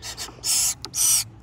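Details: Three red-bellied woodpecker nestlings at different stages of feather development, one especially vocal, give harsh, hissing, buzzy bursts from inside a birdhouse nest on a morning of 25 June 2020: two long rasps about half a second apart with shorter ones between.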